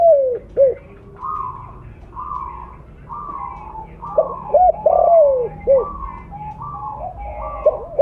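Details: Loud blorok spotted dove used as a lure, cooing in repeated phrases of short notes and a long descending coo. A higher, flatter repeated cooing runs throughout, like a second dove answering.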